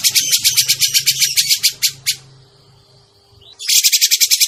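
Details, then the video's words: Grey-cheeked bulbul lure call for trapping: a fast run of harsh rasping notes for two seconds, a brief quiet pause with a faint hum, then the rapid buzzy chatter resumes; low rumble in the background. "suara pikat burung cucak jenggot"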